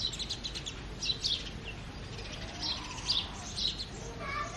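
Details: Early-morning house sparrows: scattered high chirps in short clusters, louder bursts at intervals, over soft background chatter, with a different bird's lower warbling notes entering at the end.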